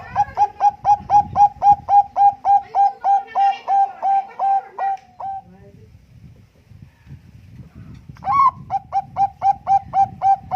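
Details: Persistently singing Bangkok zebra dove with contest-quality cooing used as a lure: a long rapid series of crisp coo notes, a break filled with low rumbling, then another quick run of coos.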